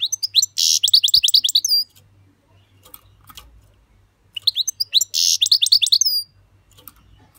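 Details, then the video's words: Goldfinch singing in the "switty" style, two fast tinkling, liquid twitter phrases with buzzy notes woven through, each about a second and a half long, separated by a quiet gap with soft ticks. "Goldfinch Switty"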